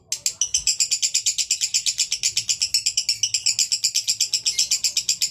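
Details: Male lovebird in konslet song, an unbroken run of rapid, harsh, high-pitched pulses, about four each second, steady and loud throughout.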